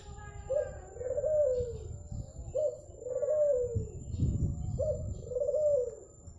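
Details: Zebra dove from Madura cooing steadily: three mellow phrases, each a short lead-in note and a long arching coo, about two seconds apart, over a low background rumble.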